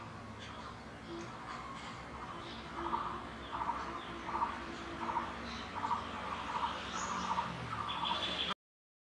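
Jungle babbler giving a series of short, harsh mid-pitched notes, about one every two-thirds of a second, with a few higher squeaks over a steady background hum.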